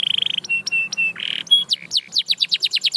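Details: Short canary song phrase: a quick trill, a few flat whistled notes, a buzzy burst, then a rapid series of bright falling chips.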